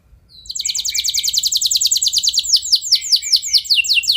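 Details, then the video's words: Canary song used to stimulate other canaries to sing with long rolls: after a brief quiet start, a rapid high trill of repeated sweeping notes runs on, then slows into broader downward-slurred notes. "Ampuh Buat Merangsang Emosi Burung Kenari Lain Biar Gacor Ikut Ngeroll Panjang"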